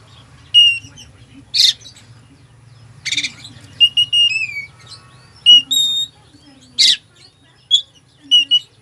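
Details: Oriental magpie-robin singing a full song packed with filler phrases, used to stir sluggish birds: clear high whistled notes and downslurs in separate bursts, with short harsh buzzy rasps in between, over a steady low hum.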